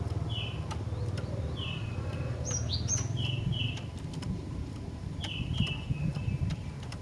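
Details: Female cinereous tit calling to stir males, giving spaced thin whistled notes that slur downward, some in pairs, plus a couple of higher sharp chirps, against low rumbling background noise.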